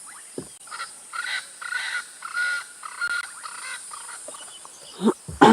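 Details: At sunset, a Swainson's Spurfowl gives a loud advertising call signalling it has found its spot for the night: about six harsh, raspy notes in quick series, with a few dull knocks near the start and end.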